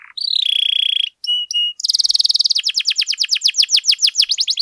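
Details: Canary master song for training other birds: a steady buzzing trill, two short clear whistled tones, then a fast rattle turning into repeated downward-slurred notes.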